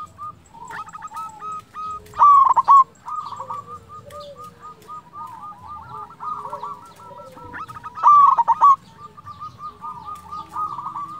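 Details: Local zebra dove song used to lure and arouse rival doves: soft, level cooing throughout, broken twice by loud trilled coo bursts, alongside a constant low rumble and other faint bird sounds.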